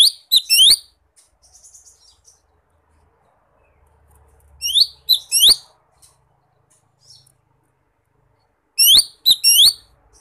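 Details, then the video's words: A wild lesser green leafbird calling a rival gives quick bursts of three or four sharp, high, slurred chirps, repeated about every four seconds, with short quiet gaps between bursts. "Suara Khas Ijo Mini Manggil Lawan di Alam Liar"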